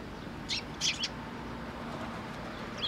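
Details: Sparrows flying in to a post to be fed at a shrine on 27 August 2023: a few short, high chirps clustered early, one faint chirp at the end, over steady background noise.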